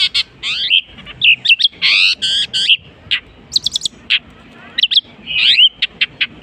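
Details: Varied mimicry from a long-tailed shrike copying other species: sweeping slurred whistles, loud harsh buzzy bursts, clusters of rapid high ticks, and twisting chattering phrases.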